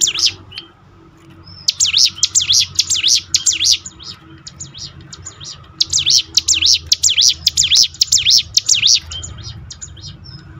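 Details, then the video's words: Prinia song for training birds to sing more often: two long bursts of rapid, high whistles, each note rising and dipping steeply, separated by a short pause, over a faint low background hum. "ciblek gunung mana yang gak tergoda ikut berbunyi"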